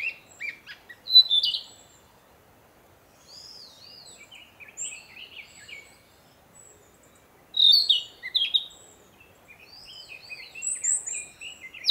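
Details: Narcissus flycatcher singing to proclaim its territory after returning to breed: scattered whistled and slurred notes, several bright phrases near the end, amid a quiet woodland background.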